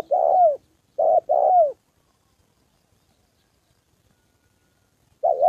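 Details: Spotted dove used as a decoy for trapping, calling during training: a few deep, hollow coos with falling endings, a short pause, then a long silence before another coo begins.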